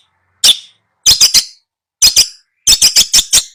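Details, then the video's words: Long-tailed shrike tutor recording for a non-singing bird: harsh, scratchy notes given singly, then in clusters of two, three and five quick strokes, separated by short silences. "Masteran Cendet Males bunyi"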